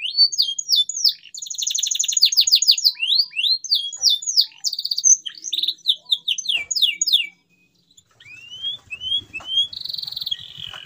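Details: Full-voiced canary song meant to prompt mute canaries to resume singing: fast rattling trills and rising whistled slurs for seven seconds, a brief pause, then a few more rising notes and a buzzy trill.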